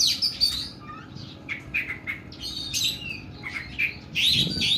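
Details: Oriental magpie-robin singing the 'nembak' style, long and rough: fast alternation of clear rising and falling whistles with scratchy harsh bursts, several notes per second, low hum behind.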